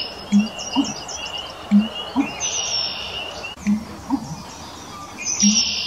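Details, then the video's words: A Canada Goose in Québec gives low, paired honks about every one and a half seconds, with high chirping and twittering from other birds behind. "Canada Goose call"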